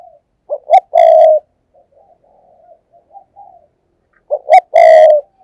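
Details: Decoy spotted dove cooing thúc gù to lure others: two phrases of short low notes ending in a loud rolling coo, separated by soft, quiet murmured coos.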